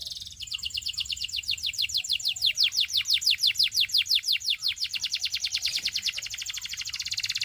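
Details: A Belgian canary sings to tempt other canaries into song: a long, rapid, continuous trill of bright, high, sweeping notes, roughly three per second, over a faint low background hum.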